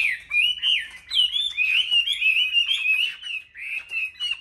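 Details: Chinese hwamei, caged and singing in competition at a Vietnamese bird market, delivering a steady run of bright, wavering whistled notes and quick slurs with scarcely a break.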